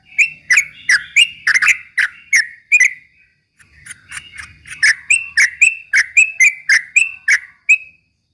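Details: Lure song of a yellow-vented bulbul meant to rile rival birds: two bursts of crisp, whistled chirps repeated quickly and evenly, a brief silence between them, and a clean quiet background.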